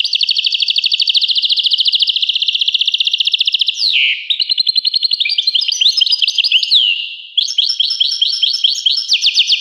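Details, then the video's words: Dense, very rapid trilling from a European goldfinch, with a long even run of repeated notes, a sudden lower buzzy slur, then varied twittering and another fast trill. Abrupt breaks between sections. "Carduelis carduelis. song Carduelis carduelis pure and Nice-Birds The song"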